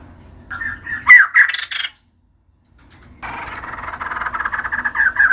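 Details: Female white-crested laughingthrush singing actively: harsh, raspy chattering phrases with a sharp squawk near the start, a second of silence, then a long continuous rattling chatter that grows louder toward the end.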